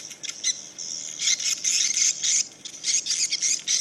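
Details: A dense chorus of high, buzzy chirps and twitters overlaps in quick bursts, many swiftlets, perhaps 1000–3000, responding to a played call; nothing else stands out.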